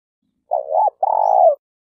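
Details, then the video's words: Spotted dove kept as a lure bird for trapping in Malaysia, giving one low, mellow cooing phrase: a short wavering double coo followed by a longer, steady, throaty coo, in an otherwise quiet background. "Suara Burung Tekukur Denak"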